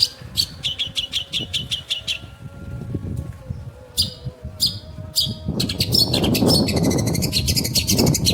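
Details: Long-tailed shrike (pentet) giving bursts of rapid high chattering notes broken by short pauses, followed by dense scratchy chatter over loud rumbling background noise in the second half.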